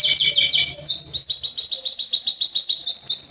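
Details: Belgian canary song: a rolling phrase of doubled notes gives way to a high, clear trill of evenly spaced, sharply rising notes, then a brief shift to a lower steady tone near the end.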